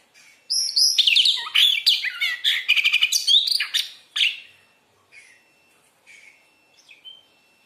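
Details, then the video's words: Oriental magpie-robin (kacer) in full song for training: a dense, loud burst of rapid chattering and whistled notes lasting about four seconds, followed by a few faint, scattered short calls. "SUARA BURUNG KACER GACOR COR"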